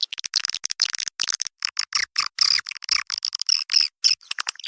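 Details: Swiftlets on a farming lure recording for entry holes and voids: choppy, metallic high chirps and buzzy twitters in short uneven bursts, with rapid ticking between them.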